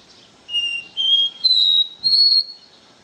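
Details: Pure "do ré mi" song of a Caboclinho seedeater: four sustained, clean whistles rising step by step like a scale, each about half a second long with short gaps, over quiet background.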